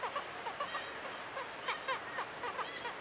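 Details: Breeding Black-legged Kittiwakes on the coast of Møre and Romsdal, Norway, in mid-May. Many birds call at once, giving a busy, overlapping stream of short, nasal, bending notes with no pause.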